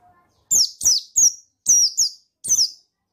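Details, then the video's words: Buxtoni white-eye male calling to provoke rivals: six loud, high, piercing notes that sweep downward, given in quick pairs and threes about a third of a second apart, with a brief faint low tone at the start. "Suara Bikin Pleci Ngalas Emosi Memancing Bunyi Pleci Bustomi Gacor Ampuh"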